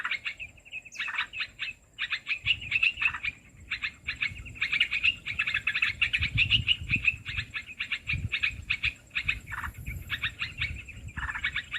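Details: Olive-winged bulbul call played to lure birds for trapping: about twelve seconds of near-continuous rapid chattering note bursts over faint low rumbling background noise.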